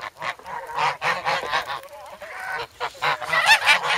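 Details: Several young geese, noisy and eager for bread, in wintry snow at Sloterpark, Amsterdam, on 3 February. Choppy nasal honks come in uneven bursts, with a softer stretch midway and a louder, higher cluster near the end.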